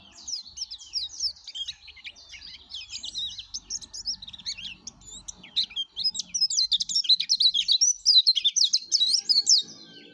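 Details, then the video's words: Energetic song of a yellow-breasted white-eye, played to lure other white-eyes: a long run of rapid high chirps and twitters, fairly soft at first, then louder and more insistent, with faint low hum beneath. "suara kicau plece dada kuning gacor"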